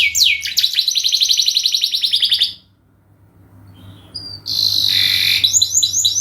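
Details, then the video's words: Canary singing a long lure song: quick falling whistles into a long rapid trill, a pause with faint sounds, then another high burst of chirps and trills. "masteran burung kenari gacor panjang untuk pancingan"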